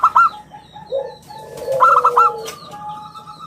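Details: Local zebra dove, an active singer with a round, crystal voice, used as a lure and tutor bird: short bursts of clipped cooing notes among lower, longer coos and a thin steady whistle.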